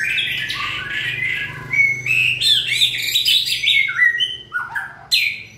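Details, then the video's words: White-rumped shama singing in peak breeding condition during the 2020 season: a quick, varied stream of warbled and whistled phrases, sharp high notes and abrupt pitch jumps, with short gaps near the end. "Cọp Biển rực lửa (shama bird)"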